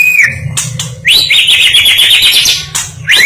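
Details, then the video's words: National champion white-rumped shama song: a short high whistle, then a quick upward sweep into a long bright, slightly buzzy warbling phrase held at high pitch, sharp clicks, and another rising whistle at the close over a faint low hum. "Kicau burung murai batu merdu juara nasional"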